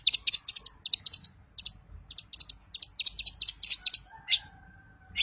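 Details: Daput-type long-tailed shrike singing to provoke other shrikes: quick clusters of bright scratchy notes in uneven bursts, with a faint low whistle in the background.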